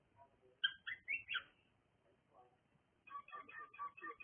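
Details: Cockatiel chirping: a quick series of four bright, slightly rising whistled chirps, a short gap, then a rapid run of softer repeated chirps, with a quiet low background hum.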